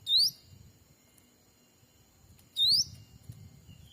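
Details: Black-capped bulbul lure sound for attracting wild birds, Sumatran forest trapping: two identical sharp upward-sweeping whistles about two and a half seconds apart over a low rustling background.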